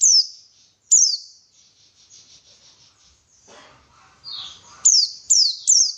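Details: White-eye song serving as a lure for lively singing: two loud falling chirps, a stretch of faint buzzy twittering, then three more bright, high, downward-slurred notes.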